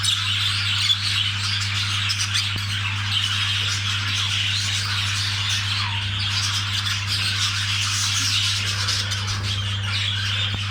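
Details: Budgerigars during mating: continuous dense chattering and harsh squawks with no clear pauses, a rasping warble filling the whole stretch over a steady low electrical hum.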